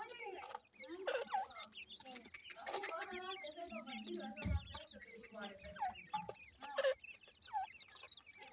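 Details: Grey francolin chicks (irani teetar) calling together in a dense mix of high, curling chirps and squeaky trills. Bursts of scratching noise and a deeper, drawn-out note also sound now and then.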